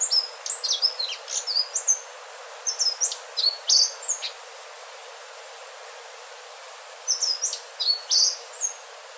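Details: Indigo flycatcher, locally called sikatan ninon or selendang biru, giving a melodious song: very high, thin, sliding whistled notes in quick jumbled bursts, a long pause mid-clip, then another burst near the end over faint steady hiss.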